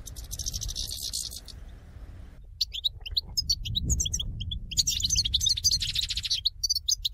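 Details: Goldfinch flock calling as used in trapping; a hissy high buzz, a short silence, then scattered bright chirps building into fast overlapping twitters, low rumble throughout.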